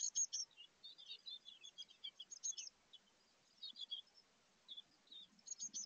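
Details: High, thin chirping from chickadee nestlings nearly ready to fledge inside a 2024 birdhouse; scattered short tweets come in clusters separated by brief silences, softer overall, with faint low rustling.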